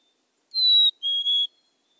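A Black-capped Chickadee whistles its clear two-note song: a pure, high first note, then a slightly lower second note with a faint break in it.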